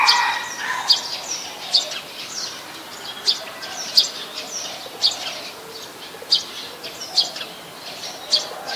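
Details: Brown-throated sunbird, Ubon Ratchathani, Thailand, 13 January 2021, captured on a Nikon P1000; short piercing high chips repeated roughly every 0.7 seconds, about eleven in total, with soft background chirping from other birds.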